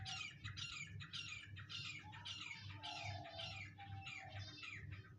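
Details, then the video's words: A grey francolin calls in loud, harsh, grating bursts, roughly two per second in a rapid run, over a low steady hum. "Teetar k awaz"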